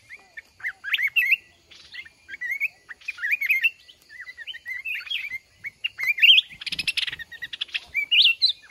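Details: Red-whiskered bulbul from the mountains, lured into a fighting trap by a month-caged decoy. Busy chattering run of short, bouncy slurred whistles, nearly continuous, with a loud rattling flutter near the end.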